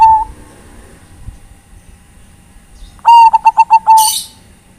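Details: Zebra dove of the Bangkok type calling to companions: the end of one coo, a pause, then a loud stuttering run of clear pulses finishing on a held note, followed by a brief high chirp.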